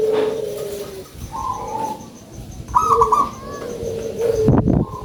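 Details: Local zebra dove, described as having a big voice, singing: low drawn-out coos alternating with higher rolling trills, with a sharp knock near the end.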